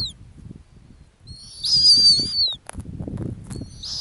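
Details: A single shrill, slightly falling whistle from a female snowy owl nesting on the Arctic ground, followed by the start of another note, with faint low background noise.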